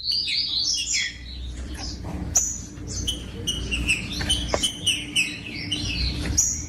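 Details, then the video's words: Song of the green-winged saltator, used to warm up silent birds and make them sing: dense run of bright whistled and warbled notes, some rising and falling, with sharp clicks between phrases and low steady hum underneath. "COM TRINCA FERRO CANTANDO O MELHOR VÌDEO PARA ESQUENTAR TRINCA FERRO"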